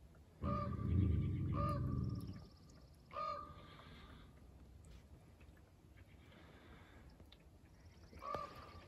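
Four short, hoarse, nasal raven calls, spaced unevenly, over a loud low rumble of wind early on.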